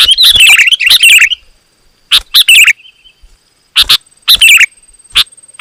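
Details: Sooty-headed bulbul singing loudly and densely, a song meant to provoke rival bulbuls into answering: a bubbly warbled phrase of rising and falling notes, then short harsh chips in small clusters separated by pauses.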